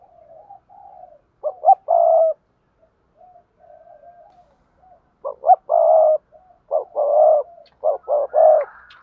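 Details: Spotted dove giving 'gáy thúc gù' and 'gáy gọi' coos, with soft low murmurs between loud phrases. Each phrase has quick stuttered notes and a long hollow coo, and the phrases repeat through the clip.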